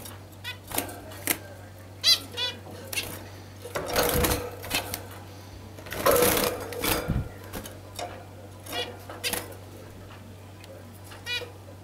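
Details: A pet pair of Australian zebra finches, June 2015, giving short, nasal, trumpet-like beeps in scattered bursts over a steady low hum.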